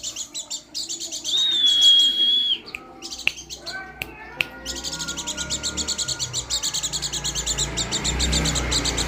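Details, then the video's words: Pleci dakun garut white-eye: a long steady high whistle, then a pause with sharp clicks, then a fast run of bright chirps repeated several times per second with faint lower tones behind. "burung pleci dakun garut"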